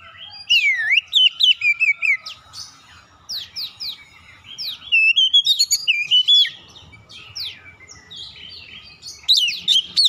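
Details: ['Oriental magpie-robin delivering energetic lure song that prompts other magpie-robins to respond: continuous rapid whistles, chirps and sharp slurred notes at about four per second, in dense bursts separated by short quieter gaps.']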